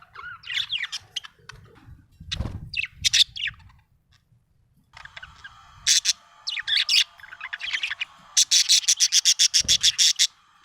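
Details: Happy budgerigar chirping: bright, high chirps and squeaky warbled notes in uneven bursts, ending in a quick run of short, evenly spaced clicking chirps, with a couple of low thumps.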